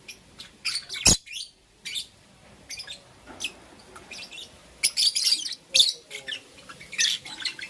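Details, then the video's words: Two green opaline lovebirds chirping in the morning: bursts of sharp, high chirps and squeaky twitters in irregular clusters, with one loud click near the start and short quiet gaps between calls. "Lovebird Chirping Sounds"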